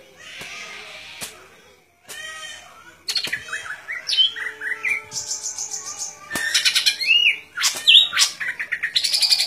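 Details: Golden-fronted leafbird pouring out a lively song of rising slurred whistles, buzzy trills and fast chirps, growing denser and louder toward the end.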